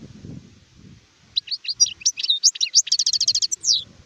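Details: Adult European goldfinch (sharif) recorded in 2019, starting after about a second of quiet low rumble: a burst of sharp tinkling notes building into a rapid even rattle, ending with a descending slurred whistle.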